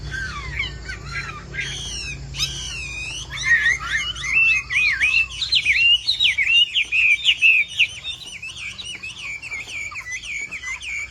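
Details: Chinese hwamei, the bird named Hoạ Mi Bộ Tam Hoàng, starts with a few loud swooping whistles, then launches into a long, rapid, rolling run of varied twisting notes that gradually softens.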